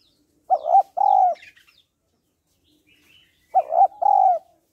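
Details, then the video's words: Calling female spotted dove trying to excite males: two identical hollow coo phrases three seconds apart, each a quick doubled note followed by a held, slightly falling tone, with faint high twitters behind. "Cu gáy mái kích trống/ tiếng cu gáy mái kích trống hay"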